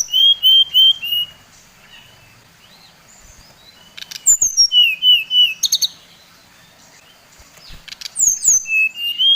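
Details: Provocation song of a Bali brown-chested jungle flycatcher: three bursts of quick whistled notes, each a cascade falling from high to mid pitch, separated by quiet pauses, with a few sharp clicks.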